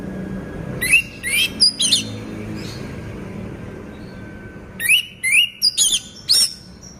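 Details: Moulting caged orange-headed thrush singing eagerly. Two groups of quick, rising whistled notes with ringing overtones, the first near the start and the second after a three-second gap, over faint indoor background noise.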